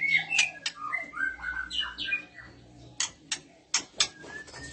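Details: Oriental magpie-robin, a breeding-condition female answered by males: a busy run of sweet whistled slurs and chirps opening the passage, followed by a series of loud dry clicks.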